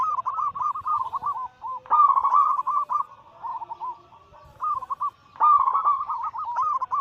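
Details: Zebra doves of local Bangkok and cemani katuranggan silver stock cooing as a group to trigger other birds to sing; continuous rippling, rolling coo phrases overlap with little pause.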